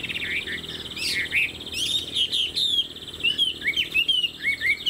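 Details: Fan-tailed, tall-built Chinese hwamei kept as a songbird, singing fast, high twittering trills mixed with sharp upslurred and downslurred whistles, continuous throughout.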